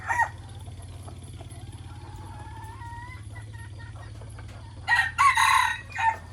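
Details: Morning decoy roosters: faint drawn-out crows in the background, then a loud ragged nearby crow in several rough bursts near the end, over a constant low hum.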